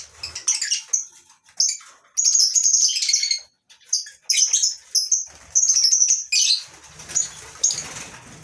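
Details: Morning at a lovebird breeding farm with mixed lovebirds kept together in a mini colony aviary. Busy, sharp, high chirps and squeaky chatter come in repeated bursts separated by short pauses, with fluttering and rustling toward the end.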